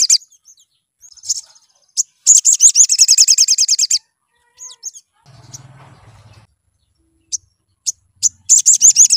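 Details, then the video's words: Sunbird, a lure recording for prompting birds to sing: high sharp chirps, a two-second burst of rapid buzzy repeated notes, a pause with faint low rumbling, then another fast high trill at the end. "PANCINGAN MAUT SOGON BIKIN GACOR NGLEPER"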